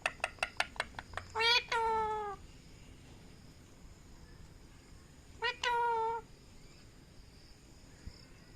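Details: Talking parrot: a rapid run of sharp clicks leads into two long, whiny calls that fall in pitch. After a pause of about three seconds, one more similar drawn-out, meow-like call is heard. The room is otherwise quiet.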